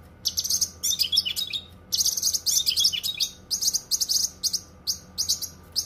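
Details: Dense cucak kinoi masteran song: bursts of piercing, scratchy high notes mixed with quick trills, phrases of about half a second to a second with short gaps, light low hum behind.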